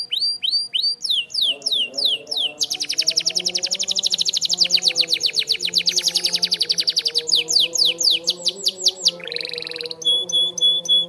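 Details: Canary delivering a training song: paired sweeping notes, then a long, fast, rolling trill, a buzzy burst and clipped repeated chips. Gentle background music runs beneath the singing.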